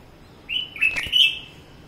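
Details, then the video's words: Singing red-whiskered bulbul on a balcony: a brief bright phrase of slurred whistled notes with a soft thump in the middle, over low steady hiss. "The beautiful Red Whiskered Bulbul in my balcony"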